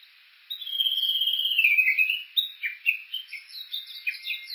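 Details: Japanese bush warbler near Kuka on Suo-Oshima, Japan, recorded by Olympus Voice-Trek V-82: after a short silence a long wavering whistle slowly falls in pitch, then breaks into a string of quick chirped notes.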